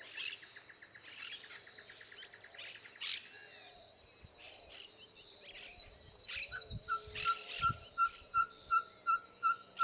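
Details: Ferruginous pygmy owl song starting late: a quick, even run of single-pitched toots follows a stretch of shrill insect buzzing, scattered bird chirps and a few soft knocks.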